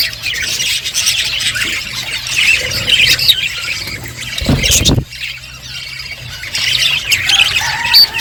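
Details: Several budgerigars chirping while eating seeds: a continuous scratchy, squawky chatter with bright high notes, one brief louder rustle midway, the flock's noise rising again toward the end.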